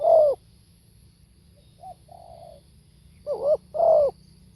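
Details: Spotted dove: a loud falling coo, then a pause with faint soft hums, then another wavering-and-falling double coo, over a low steady background rumble.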